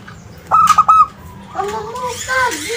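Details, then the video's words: Zebra dove of a local strain singing to draw replies from other birds: three short, level coos in a tight burst. Afterwards come wavering, gliding tones from other voices. "SUARA PERKUTUT LOKAL - Pancingan Ampuh bikin Nyaut"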